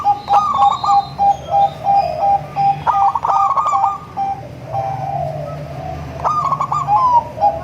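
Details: Melodious zebra dove song from local, crossbred and Bangkok birds, used to attract other zebra doves. Rapid rolling trills alternate with strings of short staccato coos at a steady pitch, about three notes per second.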